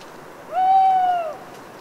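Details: Mournful nighttime hoot of a lone owl in Cévennes foothill woods, Les Assions, France, after prolonged autumn rain: one even, sustained note with a gentle downward tail at the end, over low hiss.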